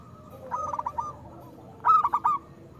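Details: Zebra dove of a local type singing to draw out reluctant doves: a quieter rolling coo phrase, a pause of nearly a second, then a louder, sharper run of four quick coo pulses.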